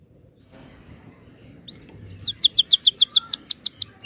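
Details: Canary song opening with a few soft high chirps, then a pause, a single swoop, and a fast rolling trill of repeated high descending notes.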